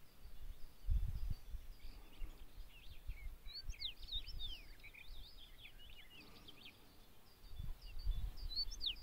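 Common rosefinch giving quick, high chirping notes in scattered bursts over about nine seconds, with low wind rumble throughout.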